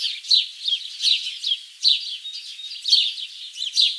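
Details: Bird singing in a lively stream of high, sharp chirps and downward-sweeping tweets, bursts coming roughly every half second with quieter twittering between them, no other sounds present.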